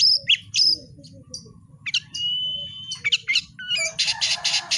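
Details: Oriental magpie-robin (kacer) singing energetically: sharp whistled notes and a long level whistle mixed with harsh, scratchy bursts, ending in a loud buzzy rasping series, over a faint low background hum.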